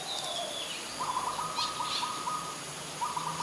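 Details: Ashy woodswallow (Artamus fuscus) in Ubon Ratchathani, Thailand, on 25 February 2022 gives a quick run of short, clipped notes, about five per second. A few harsher, higher notes are mixed in over a soft outdoor hiss.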